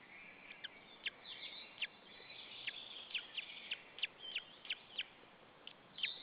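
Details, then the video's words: Lone white-tailed eagle chick on a nest camera in Saunja, Estonia, afternoon of 26 April 2013, parent away; sharp, high cheeps repeated irregularly about every half second over steady hiss. "The baby is alone and tjirping"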